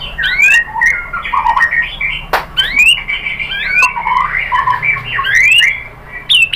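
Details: White-rumped shama song used as a lure to make another shama answer and sing, with a dense, overlapping jumble of whistled slurs, rising and falling notes and harsh chatter, and a sharp click near the middle.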